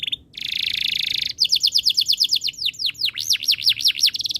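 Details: Canary song: a dense buzzy trill, then a run of rapid repeated whistled notes and wide sweeping downward-upward slurs, high-pitched and loud, with a fast rattled trill ending the phrase.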